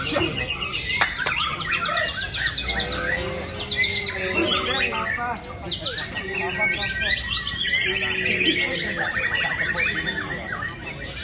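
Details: White-rumped shama, a caged bird said to have lost its fighting spirit, now in full song: rich, varied stream of whistles, trills and rapid chattering notes, some sliding down, a few sharp clicks, continuous over eleven seconds, with other birds faintly heard.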